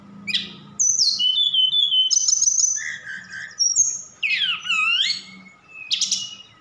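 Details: Javan bush lark from Sukabumi singing a varied song with copied cililin and sikatan londo phrases; high thin whistles, a lower warbled phrase, sweeping scratchy notes and sharp bursts, over a faint low hum.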